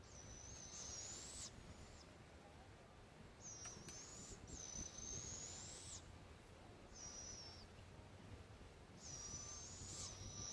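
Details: Young barred owls, two of them, in The Villages, Florida: drawn-out, thin, raspy screeches lasting up to two seconds, coming in an uneven series with short gaps, with constant low outdoor noise beneath.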